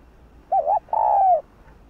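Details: Spotted dove (cu gáy) in hạp bổi voice: a wavering double coo followed by one long, smooth, low coo that sinks slightly at its end.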